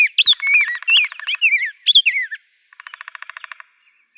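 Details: Rose-breasted grosbeak song: quick, warbled whistled notes rising and falling, then a separate buzzy, rapidly pulsed burst repeated about a dozen times before a short silence.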